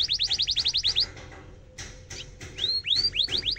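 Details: Canary tutoring song, rolling and sharp: a rapid trill of about nine chirps, a short noisy pause, then several arching whistled notes spaced irregularly over a background hiss.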